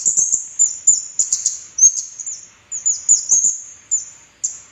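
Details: Lure song of an orange-headed thrush: bursts of high twittering notes and brief descending whistles, delivered in short groups separated by gaps of about half a second.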